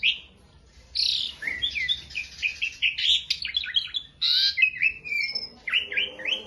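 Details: Beginner Asian pied starling, masteran training recording: after a brief pause, a buzzy burst opens a rapid sequence of chattering, stepped whistles and squeaky notes, with a short gap before more.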